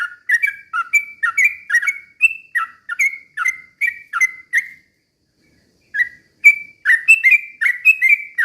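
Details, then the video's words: Lure song of a yellow-vented bulbul, sung slowly but in rapid-fire style to provoke other bulbuls to sing; a quick run of clipped, slurred whistles breaks off for over a second, then resumes. "trucukan gacor ROPEL PELAN BUAT pancingan trucukan agar bunyi jadikan burung trucuk gacor EMOSI"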